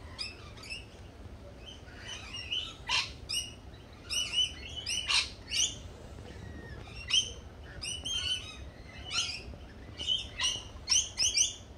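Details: Lorikeets calling in a group: shrill, screechy chirps with stacked harmonics, given in quick irregular bursts, some overlapping, over a steady low background hum.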